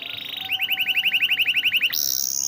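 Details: Canary singing for training other canaries: a short high trill gives way to about fifteen evenly spaced rising slurred notes, then a clear high sustained whistle.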